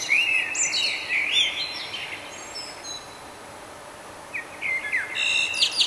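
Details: Morning song of a nightingale in Budapest, Hungary, May 2009, recorded with a compact Canon camera: bright, quick whistled and chattering phrases at the start, a quiet pause of about two seconds, then another rapid burst of notes.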